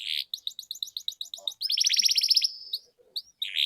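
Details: Singing canary used to prompt silent canaries to sing again: a bright buzzy note, a quick string of repeated chirps about eight per second, then a dense rapid roll before a short pause and a final buzzy note.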